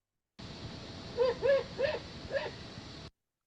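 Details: Great Horned Owl high in a treetop giving an unusual, then-unrecorded call of unknown meaning: four short, arched, barking notes about every half second, strikingly like a small dog's yaps, over a steady hiss. The call later segued into normal hoots.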